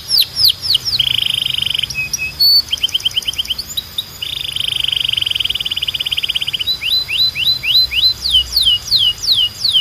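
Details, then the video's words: Belgian canary singing for young canaries in training: varied tours alternating quick downward-sweeping chirps, sustained buzzy rolls held for over a second, and sharp high notes, delivered without pause. "Canto de Canário 2026 Mais Procurado 🔥 Som de Canário Belga Super Afinado SEM PARAR‼️"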